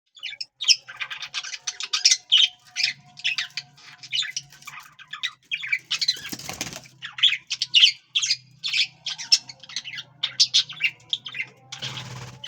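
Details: A pair of pet budgerigars chatter constantly with rapid, scratchy chirps and warbles.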